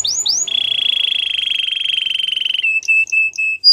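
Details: Belgian canary song with two quick rising slurs followed by a long steady buzzing roll lasting about two seconds, then short clipped notes.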